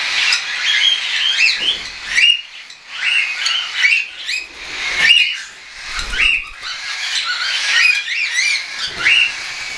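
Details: Young hand-tame cockatiels, some not yet weaned, calling; bursts of harsh squawking chirps and wavering whistles in clusters every couple of seconds, with brief low thuds between.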